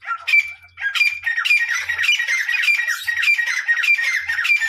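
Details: Parrot squawking loudly and continuously, a grating, nasal call with a strong steady tone running through it, pulsing roughly every half second over nearly five seconds.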